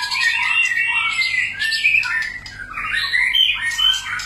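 A white-rumped shama sings a rich, unbroken run of varied whistles and chattering phrases, sweeping up and down through a high range.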